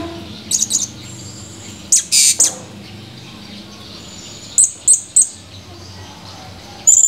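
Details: Blue-crowned hanging parrot, a male, recorded on 17 July 2020: sharp, high-pitched chirps in small clusters of two to three, spaced a couple of seconds apart over a low steady hum.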